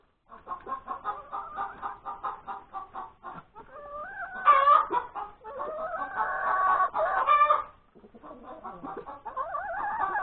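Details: Hen that has just laid an egg, heard on Sunday, January 31, 2021, at breakfast time. Fast clucking gives way to long wavering, rising notes and loud squawks, then clucking resumes with upward-sliding calls.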